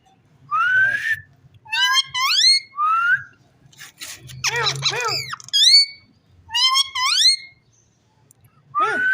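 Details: Pet rose-ringed parakeet talking: a run of about eight bright, rising, whistled and rasping voice-like phrases in quick bursts, separated by short pauses, with faint low background rumble.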